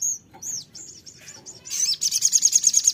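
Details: Sogon (ruby-cheeked sunbird) lure song for a caged bird: a string of thin, high arched whistles gives way to a fast, loud, evenly pulsed high trill.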